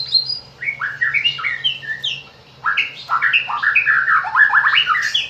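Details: Morning and afternoon White-rumped shama song used to stir other shamas into singing: rapid run of falling and rising slurred notes, rich and loud, in two dense bursts with a short pause between, low hum underneath.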